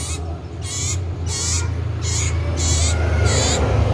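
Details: Loud-voiced common iora (cipoh sirtu) repeating six harsh, noisy chirps at an even pace, about every half second, over a low droning background.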